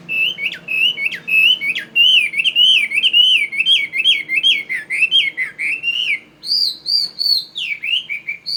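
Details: Tame fighting Chinese hwamei from Northwest Vietnam, kept in Saigon: loud, fluid whistled song of linked slurred notes, rising and falling, then shifting higher into repeated arched whistles near the close.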